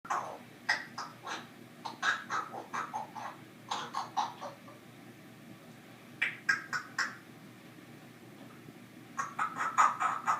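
An African grey parrot makes bursts of rapid clicky, squawking notes in short clusters every two to three seconds, with quiet pauses between, in a still indoor room.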